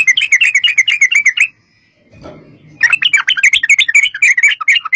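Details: Fast, bubbly chatter from a sooty-headed bulbul in a 'ropel' lure recording meant to make bulbuls answer. A dense burst of notes, then a second's quiet with a soft rustle, then another lively run.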